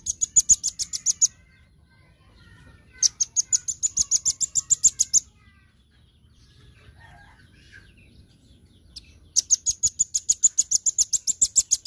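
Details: Full daily song of a velvet-fronted nuthatch: three fast trilled bursts of bright, high, clipped notes, each lasting one to two seconds, with quiet gaps between them.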